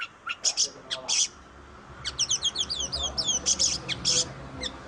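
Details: Song of an Oriental magpie-robin used to coax silent birds into singing: harsh scratchy bursts alternate with a quick sequence of high, thin, downslurred whistles.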